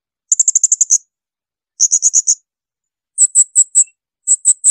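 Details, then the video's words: Blue-crowned hanging parrot giving shrill, very high bursts of rapid sharp notes, about seven, then five, four and three per burst, with short pauses; full shrill song used as master for tutoring songbirds. "tembakan melengking serindit"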